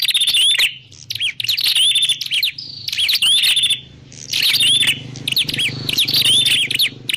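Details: Lure recording of a Prinia for trapping: loud clusters of high chirps and curling whistled notes in rapid bursts, separated by short pauses, over a steady low droning hum.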